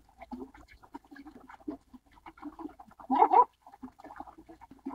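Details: Baikal teal calling: soft, rapid, throaty clucks with a brief louder, rougher outburst midway through.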